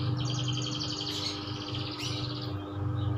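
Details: Kenari loper canary pouring out a dense, rapid warble of high trilled notes, with a steady low electrical hum beneath.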